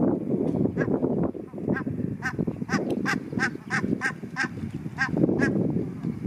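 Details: A group of barnacle geese on a river giving sharp, yapping honks, short barking notes repeated about twice a second over a steady low rumble.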